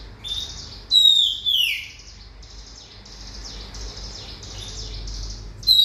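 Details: Oriental magpie-robin song of bright whistles falling in pitch, followed by a long series of soft, rapid, scratchy chirps. A new loud whistle starts at the end.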